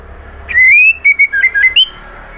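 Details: Female white-rumped shama kretekan call aimed at a male, a lure to get him singing: one long rising whistle, then a rapid series of short clear notes that step down and rise again to a final higher whistle.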